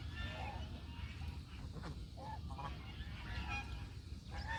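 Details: Domestic country geese calling, several nasal honks with rising and falling tones scattered through the recording over steady low rumbling background noise.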